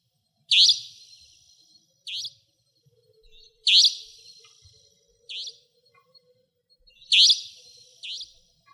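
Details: Savanna Nightjar calling at night in Pingtung County, Taiwan: loud, rasping high notes, each a strong burst followed by a softer echo-like note, repeated about every three seconds against a near-silent background.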